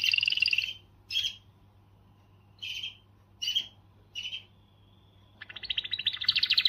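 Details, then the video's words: Canary singing to stimulate females: short separated bursts of chirpy notes with pauses, a thin sustained whistle, then a fast, rising rattling trill. "تغريدة قوية من الكناري لتحفيز .. The strongest tweet from the canary to motivate"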